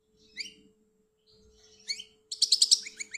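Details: Goldfinch from Algeria with a few separate twittering notes, then a louder, faster run of tinkling notes near the end, over a faint low hum.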